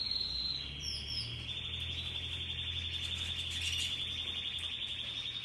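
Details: Russian yellow and Timbrado canaries singing happily: a continuous, rapid rolling trill held high and fairly level, shifting between slightly different trill notes, over a steady low hum.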